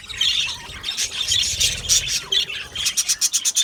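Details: Aviary colony of Australian budgerigars, many birds calling at once: dense chattering chirps and squawks overlapping, ending in a run of sharp, rapidly repeated chirps.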